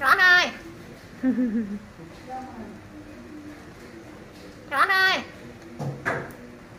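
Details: A pet common hill myna, kept free-roaming, talks in a human-like voice, calling a baby's name "Chõn ơi": two short, rising, nasal two-syllable calls about five seconds apart, with quieter, lower speech-like murmurs between.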